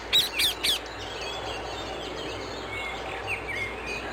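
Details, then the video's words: Wild rose-ringed parakeet in Amsterdam, the Netherlands, giving three loud, harsh, screeching calls in quick succession at the start, then fainter distant chattering and squawks over steady background noise. "Wild Indian ringneck parrot, parrot sounds, ringneck parakeet sounds"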